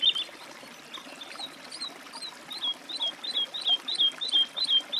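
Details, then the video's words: Woodlark song with a brief loud note at the start, then quieter fluty notes building into a steady run of repeated, slurred whistles, about three per second. "Голоса птиц. Жаворонок лесной (Lullula arborea)"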